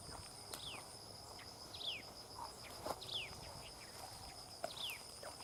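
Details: Common tailorbird feeding its chicks; a thin, high chirp slides steeply downward, repeated four times at irregular intervals about a second apart over a steady high insect hum and faint rustling.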